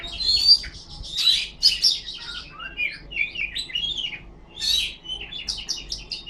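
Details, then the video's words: Kacer, the Oriental magpie-robin, fanning its tail while singing: bright whistled phrases and rising, falling slurs mixed with rapid chirps, given in several separate bursts. "Suara burung kacer ngipas thes best plong"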